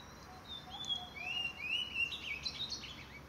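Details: Blue-black grosbeak (Cyanoloxia cyanoides) song: a short, sweet run of clear whistles that slide upward and then flutter higher, faint against a steady background hiss.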